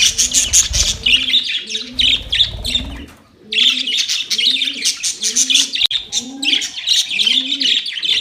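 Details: Quarrelling budgerigars recorded 25 October 2023 keep up loud, shrill chattering chirps, while a deeper rolling coo repeats steadily underneath about twice a second.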